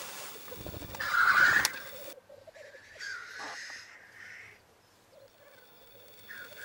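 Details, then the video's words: Black grouse males displaying and fighting at a lek to win a female, filmed with Sony and Canon EOS 7D cameras; a sharp hissing burst stands out, then fainter hisses over a soft, steady bubbling murmur. "corteggiamenti accoppiamento dei galli forcelli in arena"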